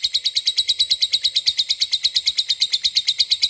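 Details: Lovebird calling to a rival: steady, rapid run of harsh, high chattering notes, roughly three per second, evenly spaced and unbroken throughout.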